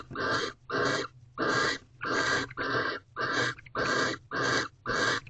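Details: Barn owls in a nest box at Corral, night of 2/18/23 at 7:46 pm, second night of mating, as the male returns with another mouse; harsh, broadband hissing screeches of about half a second, repeated nearly twice per second.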